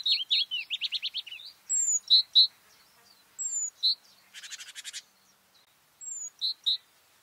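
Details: White-spotted bluethroat song in May: a quick trill of looping notes, thin whistled slurs paired with doubled chirps repeated several times, and a brief dry buzzy rattle in the middle.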